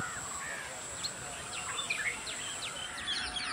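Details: A foraging group of white-rumped munias gives soft, thin chirps, scattered and overlapping as several birds call, over a steady high insect-like hiss.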